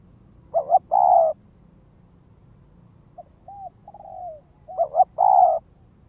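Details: Lure spotted dove calling from the ground toward wild doves: two loud phrases of a wavering double coo plus a long coo, separated by a run of quiet soft coos and slurred notes.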